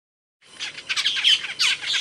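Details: Asian glossy starling, known in Indonesia as cucak keling, giving loud, sharp calls: a dense run of squeaky, chattering notes, mostly high-pitched, starting after a brief silence.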